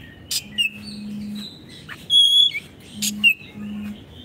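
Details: Oriental magpie-robin tutor song for caged birds gone quiet: a few sparse, short whistled notes and one clear pure high whistle, separated by pauses, over a faint low hum.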